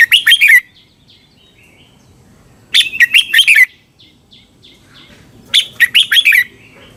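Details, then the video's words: Red-whiskered bulbul singing in Thailand, a recording used for training caged birds or getting them excited: three lively phrases of rapid liquid, chirping notes, about one every two and a half to three seconds, with faint soft chatter between. "เสียงนกกรงหัวจุก สำหรับต่อ หรือ เปิดให้นกคึก เสียงเพราะๆ"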